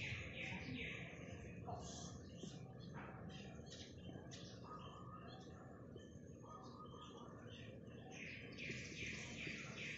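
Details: Morning munia calls: quick, high, twittering chirps repeated at a brisk uneven pace, with a few longer thin notes in the middle, set against constant low-pitched background noise.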